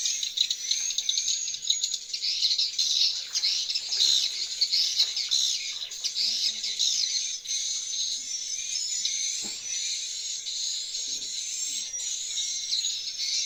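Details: Many swiftlets heard coming back into a swiftlet house: a thick, ceaseless mass of high chirps and buzzy twitters, loud and uneven, with a few soft lower knocks.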